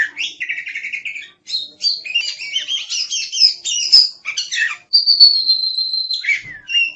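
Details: Energetic kacer song of the oriental magpie-robin for tutoring songbirds: fast buzzy trill, tumbling varied chirps and slurred notes, then a long level whistle dropping at the end.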